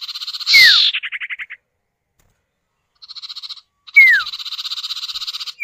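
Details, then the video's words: Male and female common iora (sirtu or cipow) answering each other, a lure to get other birds singing: loud descending whistles overlap with rapid buzzy rattles that fade into pulsed stutters, with short gaps between bouts. "Pancingan Burung Sirtu atau Cipow, suara jantan betina bersahutan"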